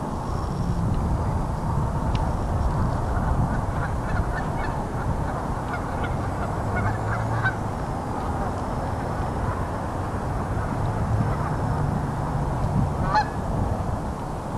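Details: Wintering Canada geese honk repeatedly in a loose, overlapping chorus, some calls sharp and nasal, over a steady low rumble of wind or distant traffic.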